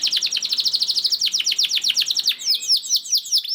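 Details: Long rolling canary song used to prompt other canaries to sing: a rapid, dense trill of high repeated notes runs for two seconds, then breaks into slower, separate swooping whistles.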